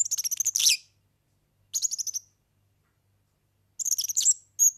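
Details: European serin song for teaching young birds, in three separate bursts of rapid, high, jingling notes with a short whistled slur, separated by pauses of about one to two seconds.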